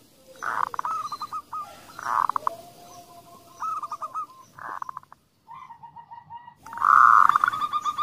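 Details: Zebra dove, a local female calling, followed by a male's coaxing call used to stimulate other doves to sing. Several rolling phrases: a loud burst, then a rapid stuttering run of short mid-pitched notes, repeated about every one and a half seconds.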